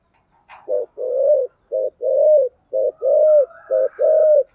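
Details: Spotted dove song, thổ cúc đình style. After a single click it gives four paired coos, each a brief pulsed note and then a longer rounded note that falls away, evenly spaced over a faint hum.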